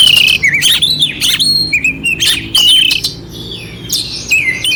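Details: Oriental magpie-robin (kacer) singing a clear, rough-filled song used to rouse a quiet bird: varied whistled phrases sliding up and down mixed with harsh buzzy notes and sharp chirps, delivered in quick bursts.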